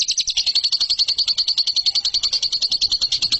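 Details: Lovebird song used to train contest birds: rapid, steady high-pitched trill of clipped chirps, with a brief lower rasp near the start, continuing evenly throughout.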